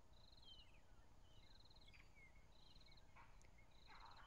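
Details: Magpie-shrike (Urolestes melanoleucus) singing during a morning drive on 15 April 2011, somewhat faint: rapid pulsed buzzy notes followed by thin falling whistles, repeating about every 1.2 seconds against steady low engine-like noise.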